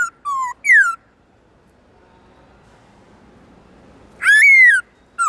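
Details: Black-throated laughingthrush in forest-style song, for training caged birds: a few loud whistles, one sliding steeply downward, a long silent gap, then a single drawn-out arched whistle with bright overtones.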